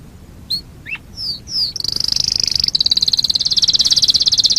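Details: Canary song, a fast competition-style singer: a few separate downslurred whistled notes, then a long buzzy rapid trill of evenly repeated high notes building in loudness to the end.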